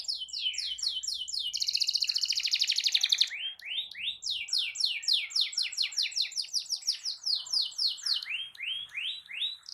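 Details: Long rolling canary song meant to stir other canaries to sing along: quick descending whistled sweeps in a steady series, broken by a dense high buzzy trill, then resuming in rapid repeated notes about four per second.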